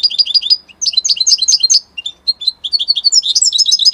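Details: Song of an Italian European goldfinch: a quick burst of repeated tinkling notes, then jumbled high chirps and buzzy twitters in short bursts separated by small gaps, growing denser toward the end.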